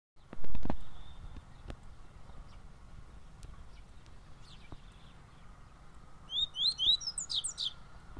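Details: A double-collared seedeater, known locally as the Bahia papa-capim, sings near the end: a short burst of five or six quick, high, slurred notes. Before it come long quiet stretches with scattered knocks and a loud thump.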